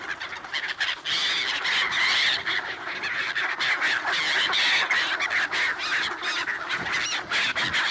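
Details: Black-headed gulls crowding to be fed bread at a swan wintering site in Ibaraki, Japan, on 28 December 2017, filmed on a Nikon D7200; dense overlapping harsh squawks and cries, with sharp bursts throughout.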